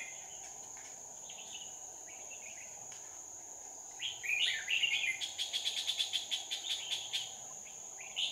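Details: Red-whiskered bulbul singing as a decoy to lure wild birds into a trap, recorded 2 May 2019. After quiet faint notes, a warbled phrase leads into a fast chattering series of sharp notes, about five per second, over a constant insect hum.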